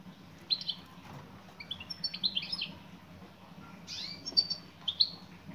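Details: Female European goldfinch calling to a male, with irregular high chirps and twittering slurred notes, some rising and some falling, scattered over several seconds above a low background hum.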